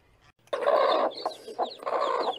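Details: Farm chicken giving harsh, broad clucking squawks in quick bursts after a brief quiet start, with the loudest burst first and a second burst near the end.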